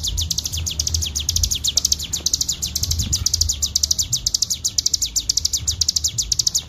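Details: Clear, unbroken ngebren song of a Bar-winged prinia, recorded as a training master: rapid, high, ticking notes pour out at an even pace, with a soft low hum in the background.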